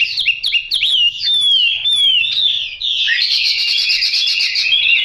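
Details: Song of a Chinese hwamei with yellow bill and legs: a few quick repeated notes, then long clear downslurred whistles, followed by a dense rapid rattling warble.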